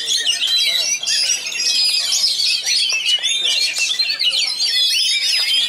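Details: Pasbar magpie robin (kacer) trained for song contests, with rich material delivered at a tight, rapid pace. High whistled slurs, trills and scratchy notes follow one another without pause until the sound cuts off abruptly at the end.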